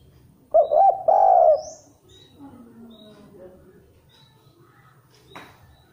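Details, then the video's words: Spotted dove, a bird said to sing rarely but well and fast, recorded as a lure for other birds. A single low coo phrase, two brief hoots running into a drawn-out wavering note, then soft faint murmurs and a click. "Derkuku Tidak Gacor tapi Cukup Bagus dan lebih cepat untuk pancingan"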